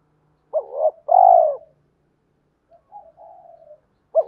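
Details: One 'hai hậu' phrase from a spotted dove cooing to provoke wild doves: a quick double note, then a long, loud, falling coo. A soft wavering murmur follows, and the next phrase begins just at the end.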